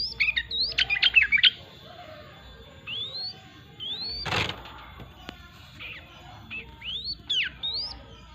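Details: A yellow-vented bulbul singing hard opens with a rapid jumble of bubbly notes, followed by spaced, sweeping upslurred whistles, with a brief rushing noise in the middle.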